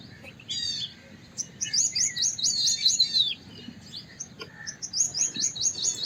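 White-browed wagtail giving high, sweet chirping phrases of quick rising-and-falling notes, repeated in bursts, with a low background rumble.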